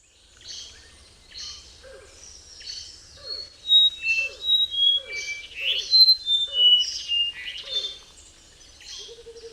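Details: Brown-throated wattle-eye, a non-migratory bird found while travelling, singing a musical run of clear whistled notes that jump between high and mid pitches, about three notes per second, over a quiet background.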